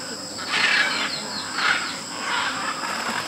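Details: Macaws gathering at a clay lick in Tambopata, Peru, where hundreds of macaws and parrots come daily to eat clay. Harsh, raspy squawks come in three swelling bursts over a steady high insect drone.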